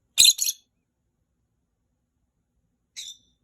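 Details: Three pet rosy-faced lovebirds calling to one another, each voice slightly different; two quick harsh, scratchy shrieks at the start, then a single fainter shriek near the end, with silence between.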